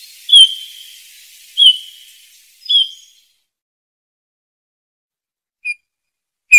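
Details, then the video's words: Bullfinches singing: three soft, slightly falling piped whistles about a second apart, each trailing off, then a long pause and two short faint notes near the end. "chant de bouvreuils - song Pyrrhula - طائر الدغناش"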